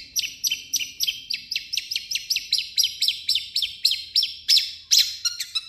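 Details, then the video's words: Long-tailed shrike singing its own voice mixed with copied phrases of other birds: a regular string of sharp falling chirps, about three each second, ending in higher squeaky notes. "MASTERAN BURUNG CENDET"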